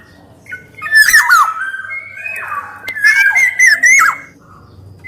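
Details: Black-naped oriole, golden kepodang, in lively song: a raspy squawk, then liquid warbled whistles rising and falling, with a second harsh burst before a quiet close.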